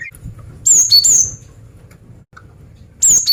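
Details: A female cinereous tit gives a phrase of high whistles falling in pitch to attract males. A tiny chirp follows, and a fresh phrase starts near the end.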